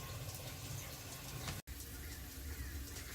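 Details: Running, gushing water fills the recording, broken by one brief dropout to silence midway; no animal sounds.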